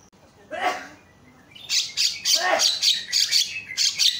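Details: Javan myna (Acridotheres javanicus) screaming, used to lure silent mynas into calling: harsh, rasping screeches, two grating bursts, then a quick run of shrill, scratchy squawks about three per second.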